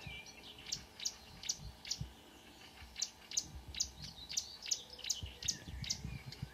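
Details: At 5 a.m. on 2 June 2009 near Kråkstad, Norway, a marsh warbler delivers rapid, evenly spaced sharp high notes, roughly two or three per second, with some low rumbling noise underneath.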